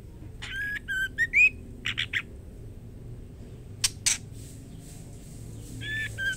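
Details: White-rumped shama female calling the male: several whistled notes, rough buzzy chips, a pause with two clicks, then two more whistles.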